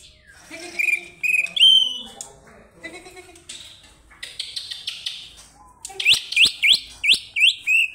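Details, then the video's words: Greater green leafbird calling an opponent, giving varied chattering and whistled phrases among human voices, then a closing series of six loud, upslurred whistles at about two per second. "CUCAK IJO memanggil lawan"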